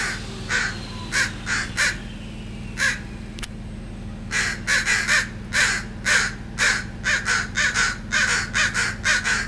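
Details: Crows nesting in a backyard, where they raised young the previous year, cawing territorially in June 2017: harsh, broadband caws in rapid bursts of two to four, about two per second, over a steady low hum.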